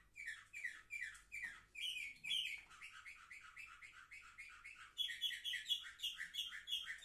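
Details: Seven-month-old canaries, recorded 10 November 2023, sing tours of identical rapidly repeated syllables, shifting twice to a new, higher, brighter note pattern, each tour steady and rhythmic.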